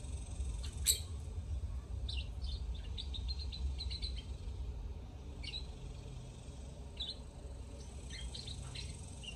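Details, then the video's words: Singing lovebirds give repeated bursts of quick high chirps and tweets, spaced irregularly through the passage, above a constant low rumbling hum. "Love Birds Singing"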